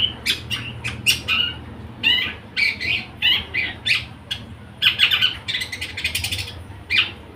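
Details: Long-tailed shrike with a fighting song style: rapid bursts of harsh, scratchy chattering and squeaky chirps, some broadband clicks, delivered in irregular clusters over a faint low hum.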